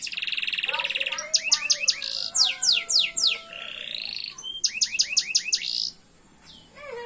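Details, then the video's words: Canary singing vigorously: a rich, varied song of fast rattling trills, rapid descending sweeps repeated in series, sustained whistled tones and buzzy notes, delivered loud and nearly continuous for six seconds before fading to a few soft upslurred notes. "Burung kenari gacor"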